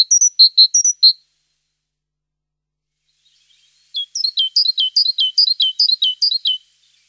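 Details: A tit sings two bouts: first a short run of alternating high and lower whistled notes, then after a long silence a fast series of repeated downslurred phrases, quieter at first and then louder.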